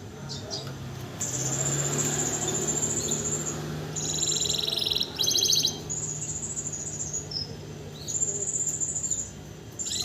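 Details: Canary tutor bird in song straight after its moult, singing strongly without conditioning; long, very high rapid trills broken by pauses, a mid-pitched buzzy rattle around the middle, over a steady low background hum.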